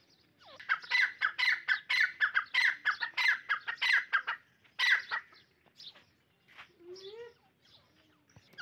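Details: Partridges in a fight, a calling contest between birds: a series of loud, harsh, rhythmic grating calls repeated about twice a second, then scattered softer notes.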